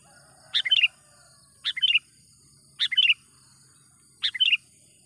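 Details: Trapping lure call of a lively sooty-headed bulbul: four clear phrases of quick rising-and-falling chirped notes, spaced about a second apart, over a faint steady high buzz.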